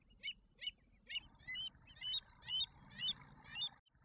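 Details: American avocets with young chicks in Alberta give sharp, high, ringing notes repeated about every half second, nine calls in a steady series over soft background noise.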